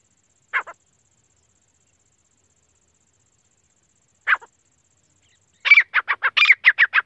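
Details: Female grey francolin calling non-stop in India, recorded for hunting: two short harsh double notes, then a fast run of about nine loud, raspy, repeated notes in quick succession, with silence around them.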